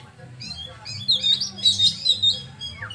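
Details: Oriental magpie-robin (kacer) singing bright, piercing whistled notes and quick chirped bursts, strongest in the second half, over a low background hum.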